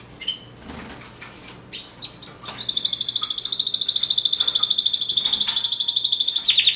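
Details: Pet canary: a few scattered chirps over background clatter, then a long, steady, loud high rolling trill held for several seconds.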